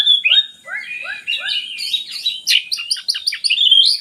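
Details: Oriental magpie-robin singing as a lure for quiet birds: a series of short falling notes, then fast stuttering chips and whistles in a rapid, repeated rhythm.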